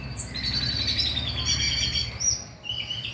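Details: Oriental magpie-robin song played to stimulate a bird to sing at night: rich whistled phrases sliding between notes, with a steady low hum underneath.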